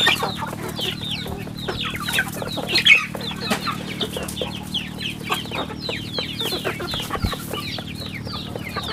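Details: A crowd of farm chicks gives rapid, high descending peeps that overlap throughout, over a constant low electrical-sounding hum.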